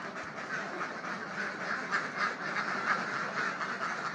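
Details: A dense chorus of ducks at the Lepelaarplassen gives rough, nasal quacks that overlap continuously, about three to four a second, over a steady background hiss.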